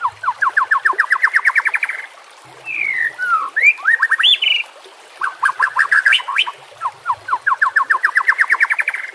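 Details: White-rumped shama song meant for training and luring shamas, set against nature sounds and running water: fast series of repeated upslurred notes, about six per second, broken by twisting whistles, then another repeated series.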